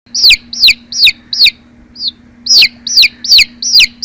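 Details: Chicks in a basket peep loudly, each call a shrill downward-sliding note repeated about twice a second.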